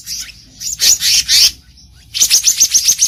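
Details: Wild black-naped monarch used to lure birds: grating scolding bursts, a pause, then a quick regular series of about seven high, thin piercing notes.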